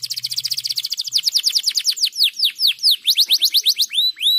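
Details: Canary song meant to stimulate other canaries to sing: a rapid high trill gives way to steadily repeated downward-curving whistles, closing with rising looped notes; a faint low hum underlies the opening.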